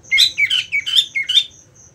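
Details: Quick burst of five bright, slightly buzzy slurred whistles from a caged green leafbird being readied for a song competition, with a thin high ticking in the background.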